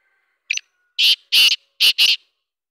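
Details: Black francolin calling in the morning: a soft short note, then two loud harsh grating double notes, each pair rasping and broadband, the whole phrase lasting under two seconds against silence.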